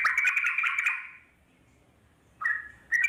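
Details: Wild Yellow-vented Bulbul (trucuk) in nature: a burst of bubbly, chattering notes lasting about one second, a pause, then two short clear whistled phrases near the end.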